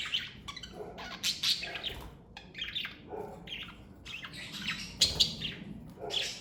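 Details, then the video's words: Pet parakeets chattering busily, a mix of scratchy warbles, sharp chirps and lower nasal notes coming in quick uneven bursts. "Birds Chirping Sound Effect!"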